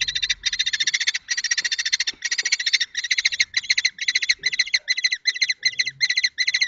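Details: Common kestrel chicks in a nest box at Théding in June, during the adoption of a fallen fledgling and agitation after the box was opened, give harsh rasping bursts, then a quick steady stutter of shrill calls, over rustling and thumps.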